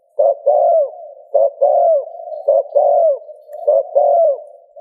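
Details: Spotted dove cooing, played to stimulate another dove to coo: low, hollow two-part phrases, each a short clipped note then a longer coo that curves downward, about four phrases in five seconds with brief pauses between.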